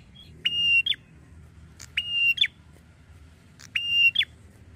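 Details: Red-headed prinia lure from Indonesia intended to prompt quick replies from other prinias: three evenly spaced harsh buzzy notes, each preceded by a thin high click and closing with a steep falling slur; low hum underneath.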